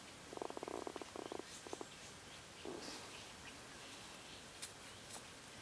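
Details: Silver-eared laughingthrush on Doi Lang east, a mountain in northern Thailand, gives a low, dry chattering rattle in two quick bursts, then a short stutter and a harsher rasp, over quiet background hiss.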